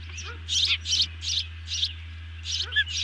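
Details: Ospreys at the nest while a meal is delivered; quick, shrill chirp bursts nearly every half second, a few faint lower notes between, steady low hum behind.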